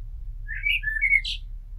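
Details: Short fragment of blackbird song: mellow slurred whistles followed by a brighter, higher squeaky note, over a faint low rumble.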